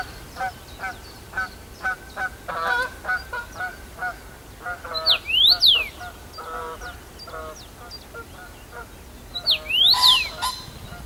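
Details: Singing first-summer male Common rosefinch, Bazel, Belgium, June 2015, returning to the same branch: two brief phrases of bright up-and-down whistled slurs about five seconds apart, amid steady lower chattering notes from other birds and a noisy background.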